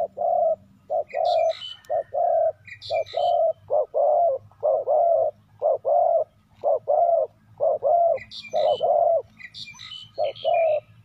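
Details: Decoy spotted dove luring wild doves with a long run of steady hollow coos in pairs, about one pair a second, while small birds chirp high and briefly in the background.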